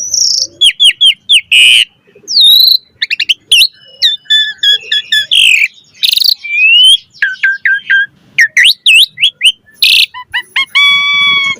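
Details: Long varied ocehan from an Asian pied starling singing gacor: dense strings of clicks and short whistles, harsh bursts, swooping notes and a final nasal buzzy call with many overtones.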